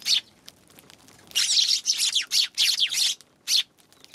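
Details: A single sharp chirp, then after a pause a lively series of harsh chirps and downslurred notes from Eurasian tree sparrows on January 11, spaced roughly every quarter second.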